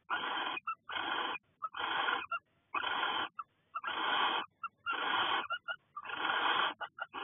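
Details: Barn owl in a nest box during February 2020 courtship, as the male brings voles to the female before laying. A steady series of rasping, hissing screeches runs almost once a second, each about half a second long, with faint clicks between them.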